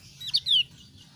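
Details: Javan grey-throated white-eye of the thin-browed form, giving two quick high chirps and then a longer, slurred descending whistle note, with a low background hum.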